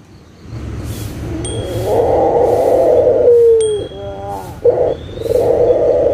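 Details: Local dove lure for birds that have stopped calling: a long swelling low coo ending in a falling tone, wavering soft notes, then shorter coos, with a faint ringing sound.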